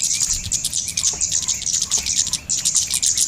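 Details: Golden-headed cisticola call used as a lure to attract birds to bird lime. Dense runs of thin, high ticking chirps, with a slight pause near the middle, and faint lower slurred notes underneath.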